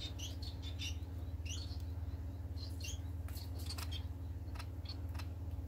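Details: Society finches on 25 March 2020, with clusters of sharp, high upslurred chirps coming close together, then sparser notes and light clicks, over a continuous low mechanical hum.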